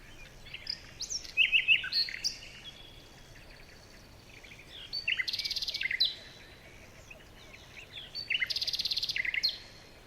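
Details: Several birds chirping in a morning forest: varied whistled phrases and twitters, broken by two loud rapid buzzy trills, each lasting about a second, with quieter pauses between.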